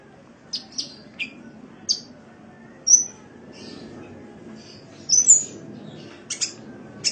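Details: Cage sunbird training recording: busy series of sharp, very high chirps and thin whistled flicks, some buzzy, coming about every half second to second, over a soft low hum.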